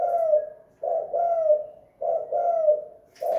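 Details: Spotted dove, a lure bird at home singing 'kuk gantung', the two-note hanging song: loud, mellow coos repeated in pairs about every second, steady and close, ending with a brief click.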